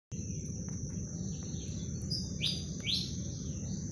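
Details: Two newborn Malaysian pied fantails (Rhipidura javanica) give a few short, high, sweeping chirps over a steady insect whine and a heavy low rumble of background noise.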